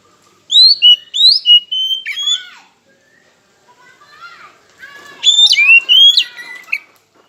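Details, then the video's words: Oriental magpie-robin singing as a lure to stir rivals: rising whistled notes in a rapid string, then a softer busy twitter, then a second loud run of sweeping whistles. "Pancingan KACER Macet Bunyi, Sekali Dengar Langsung Emosi!"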